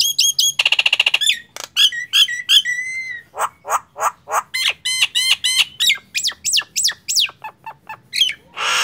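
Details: Nias hill myna singing actively, a mix of loud clear whistles, rapid harmonic rattles, and sharp clicks. Several rising whistled notes repeat near the end, closing with a harsh noisy burst.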